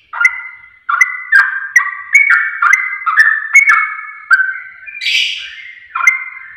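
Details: Sooty-headed bulbul song played as a lure to trigger rapid singing. A steady series of bright, slurred whistled notes, roughly two per second, broken by one scratchy burst near the end.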